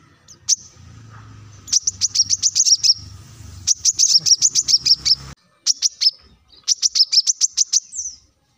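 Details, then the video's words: Energetic plain-throated sunbird singing, used to draw song from other birds. Quick trains of high, clipped notes come in three runs, the first two over a low humming background that then cuts out. "kolibri kelapa | manggar | wiceh | masteran untuk burung ijoan agar cepat bunyi gacor"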